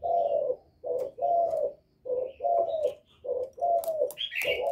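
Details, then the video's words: Spotted dove cooing to provoke other doves, a series of low, hoarse coos in short phrases about one a second, with faint higher chirps of small birds behind. "Cu Gáy Giọng Thổ GÁY GỌI kích bổi cực hay, cu gáy một hậu hạp bổi, cu đất gáy kích bổi, cu cườm gáy"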